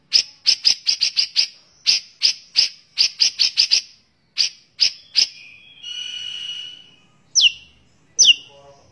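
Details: White-rumped shama in energetic full song, used as training material for other birds, rich in varied phrases: a rapid string of sharp, clicking chips, a drawn-out thin whistle, then two loud downslurred notes.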